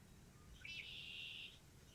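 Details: Perched northern mockingbird singing between preening: one brief high buzzy note, drawn out for under a second, fairly faint against quiet background.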